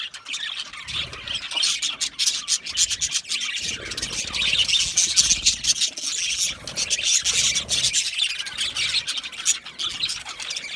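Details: Many budgie parrots chirping contentedly together, a busy overlapping wash of high twittering notes and squawks, with faint low murmurs underneath.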